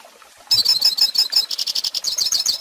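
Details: Song of a hooded siskin for teaching young birds: after half a second of quiet, a sudden burst of high, buzzy twittering begins, then settles into fast, evenly repeated chattering notes.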